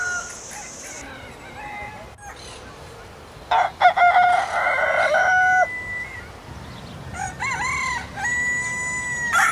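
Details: Crowing rooster in Southwest Asia amid background hiss. Several broken, wavering crow phrases come at uneven intervals, some rising and falling, with a loud burst near the middle.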